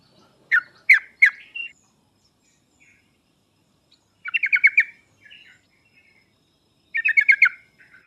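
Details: Sooty-headed bulbul lure recording aimed at birds that are slow to sing: three loud chirps, then two separate bursts of rapid, stuttering trill-like notes a few seconds apart, in an otherwise quiet setting.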